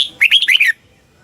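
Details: Caged red-whiskered bulbul song from Thailand, in the southern master style used to stimulate and train birds: one brief phrase of four quick, liquid whistled syllables, rising and falling in a rolling warble, then quiet.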